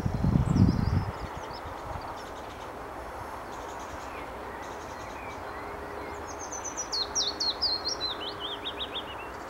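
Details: Willow warbler singing in spring 2016 at Motorcycle Wood, Wanstead Flats, London, UK: a sweet, whistled phrase of notes sliding down in a descending cascade over about three seconds, preceded by faint high notes, with a low thump at the start and steady distant rumble.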